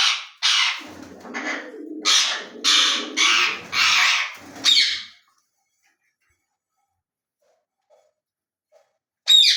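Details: Pet ring-necked parakeet indoors in a small room, giving a series of harsh, loud squawks in quick succession for about five seconds, then silence, ending with one more sharp call.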